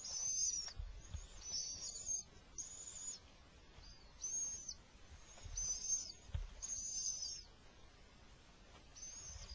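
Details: Little owl at its nest as the male brings food during an attack: thin, very high screechy calls, each about half a second long, repeated roughly once a second over a low background rumble.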